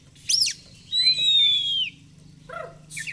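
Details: Oriental magpie-robin singing a sharp looping note, then a long slowly descending pure whistle and softer chatter, over a steady low hum.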